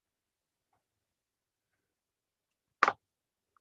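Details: Near silence, broken by a single short broadband knock near the end and a faint tick just after it.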